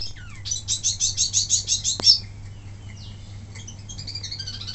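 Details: Wambi mini singing as a tutor for other birds: a fast, evenly pulsed run of about ten high chattering notes, a single loud click, then faint, thin, twittering notes, over a low hum.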